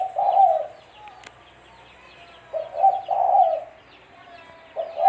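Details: Spotted dove cooing, used as a lure for trapping. Its soft, low, mellow coos come in phrases of a short note followed by a longer rolling coo, repeated after a quiet pause in an otherwise silent setting.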